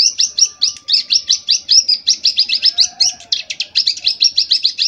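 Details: Young prinia, just over two months old, kept and tutored with recordings of adult song, practising the rapid copied 'AK47' machine-gun phrase: loud, high chipping notes fired in a fast, steady burst of about five per second.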